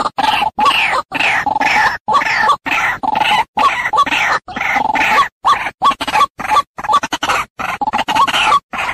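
White-breasted Waterhen giving harsh, nasal croaking grunts in quick runs of about three per second, broken by abrupt silent gaps.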